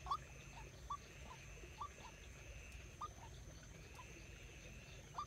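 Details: White-breasted waterhen kept as a decoy bird for trapping, giving short, faint hollow notes spaced about a second apart, with gaps between them, over steady low rumbling background noise and a thin high hiss.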